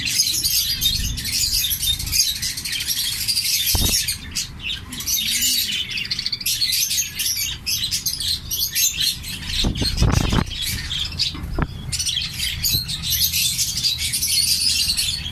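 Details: Orange-breast mutation zebra finches in a breeding setup keep up a dense, high chatter of short nasal beeps and chirps.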